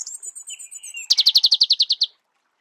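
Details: Marico sunbird in natural habitat: thin, very high drawn-out whistles slide into a quick, loud trill of a dozen sharp notes.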